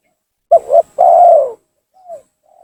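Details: Spotted dove lure call to entice rival doves: one loud phrase of a quick double coo and a long falling coo, followed by faint, softer coos.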